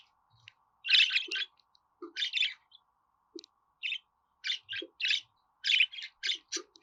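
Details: Budgerigar chatter, meant to help pet budgies sing: a steady stream of short, raspy, high chirps in quick succession, with soft low clicks scattered among them.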